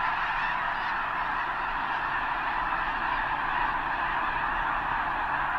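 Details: Snow geese massed in a huge flock at Potholes Reservoir's eastern end, probably staging before the journey north; continuous loud wall of overlapping nasal honks, steady throughout with no individual call standing out.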